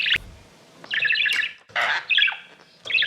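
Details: Exhibition budgerigars chatter in loud buzzy, harsh bursts of warbling, each lasting about half a second to a second, separated by short pauses.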